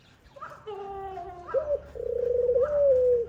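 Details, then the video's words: Dove feeding her young: overlapping steady whistled tones, then a long buzzy, pulsing whistle that rises slightly and holds. "Khumra bird mother feeding her baby | khumra birds voice | dove birds sound"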